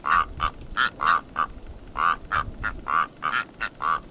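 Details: Rüppell's korhaan (Eupodotis rueppellii), call.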